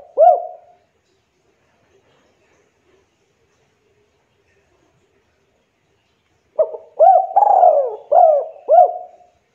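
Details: Spotted dove, used as a lure for local doves, giving soft low cooing phrases: a single coo, a long pause, then a run of four quick rounded coos close together.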